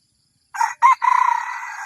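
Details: Crowing of a red junglefowl played to lure wild junglefowl, Thailand: two clipped harsh syllables followed by a sustained, slightly wavering hoarse note that runs on to the end.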